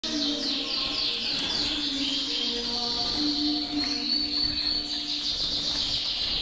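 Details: Canary song used to stimulate females for mating, from a large collection of canaries of many colours and forms: continuous rapid high trills and warbled phrases, with steady low tones running underneath throughout.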